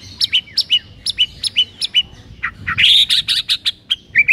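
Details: White-rumped shama master song for training silent birds: high sharp paired notes repeated steadily, breaking into a loud buzzy rising trill with rapid chips, ending in short whistled slurs.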